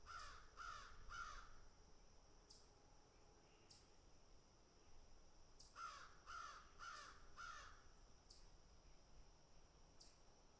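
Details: Feeding crows utter a quick run of three rasping caws, then after a pause another run of four, with sharp high clicks scattered between them.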